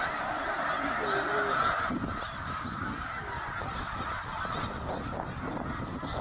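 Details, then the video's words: Snow geese on migration, Middle Creek, Pennsylvania, 2023, eighty thousand birds: steady wall of nasal honking yelps, louder in the first two seconds then easing slightly, with a soft low rumble beneath. "Eighty thousand Snow Geese Migration in Middle Creek 2023 / Snow Geese Bird Tornado"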